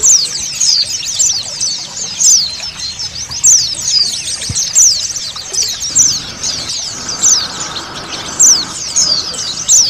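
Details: An ombyokan chorus of many Oriental white-eyes, a lure for selecting male birds, forms a continuous high, busy twitter of quick chirps and trills, with steady running water beneath and a faint low hum partway through.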